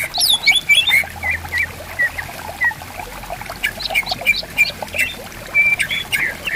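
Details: Greater green leafbird song from bamboo forest beside a river, with birds answering one another. Varied whistles, squeaky rising notes and short chips sound over clear, softly flowing water.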